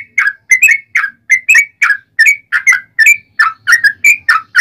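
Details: Yellow-vented bulbul giving a long, driving fighting song meant to provoke other bulbuls to reply: a steady run of short liquid whistled notes, about three per second, alternating slightly up and down in pitch.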